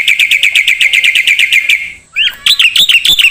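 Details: Song of a black-winged starling, a training recording for songbirds: a fast, even train of bright chirps for two seconds, a brief pause, then louder rising, squeaky whistled notes.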